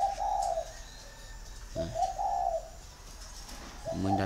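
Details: Caged male spotted dove, six years in the cage, with a deep 'thổ' voice: low, hoarse cooing notes in two-part phrases, repeated about every two seconds, over steady room hum.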